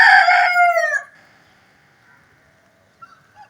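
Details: An Aseel rooster crows in the early morning during rain: a loud, harsh, ringing call lasting about a second that breaks and drops at the end, then quiet with a few faint distant sounds.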